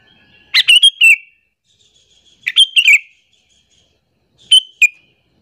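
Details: Sooty-headed bulbul giving a call meant to lure and anger other bulbuls: three bright chirping phrases roughly every two seconds, each made of two to four quick notes, the last one shorter.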